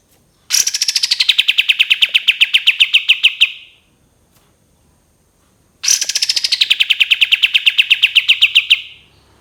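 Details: Two long rapid bursts from a cream-vented bulbul. Each is a dense string of staccato repeated notes that begins high, slides down and continues steadily for about three seconds before stopping. A quiet gap falls between the bursts.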